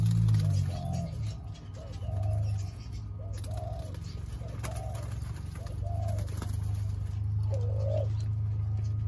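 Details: Thai spotted doves, including young birds, on 19 September 2023, giving a series of mellow, low coos in short paired phrases, the last note louder and wavering, with a constant low droning hum beneath.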